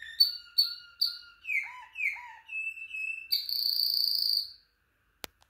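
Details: Malinois Waterslager canary singing: a string of short high whistled notes, two descending slurred phrases, a level piping tone, then a long buzzy high trill lasting over a second, ending in silence and a sharp click.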